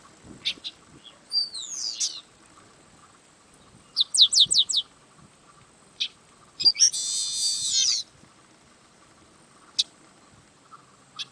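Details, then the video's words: Yellow-winged blackbird singing in separate bursts: a slurred falling phrase, a quick run of four or five sharp descending notes, isolated ticks, and a long harsh buzzy rasp, with silent gaps between. "Canto do Sargento Agelasticus Thilius"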